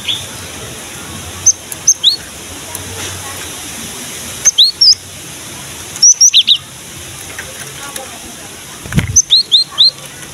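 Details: Lively gelatik batu, or cinereous tit, in song meant to coax young birds of its kind into singing: bright, piercing high notes in quick groups of three to five, repeated every two to three seconds over soft steady background hiss.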